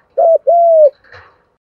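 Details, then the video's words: A single 'gù đấu' contest coo of spotted doves, male and female, used to rouse birds for training. A brief doubled note, then a smooth, long, gently descending coo, followed by a faint rustle. "tiếng cu gáy thúc gù, gù đấu chuẩn căng đét"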